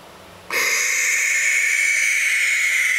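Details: Young barn owls give a harsh, breathy hissing screech. It starts abruptly after half a second of quiet and continues steadily and unbroken to the end.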